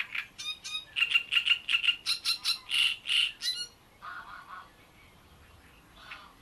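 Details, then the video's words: Great reed warbler at Bohdanečský rybník fishpond delivering a burst of harsh, creaky repeated notes, about three per second, with two louder drawn-out croaks, then the song breaks off into quiet, faint background chatter. "Rákosník velký"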